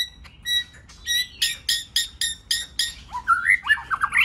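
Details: White-rumped shama singing many-voiced song for training: evenly spaced clear notes and chips, growing louder, ending in swooping, slurred whistles.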